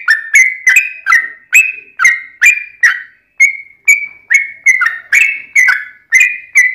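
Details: Fighting song of a yellow-vented bulbul in long-roll style, played to provoke other bulbuls to call back: a rapid series of about sixteen clear, slightly downslurred whistles, one brief gap midway, otherwise continuous.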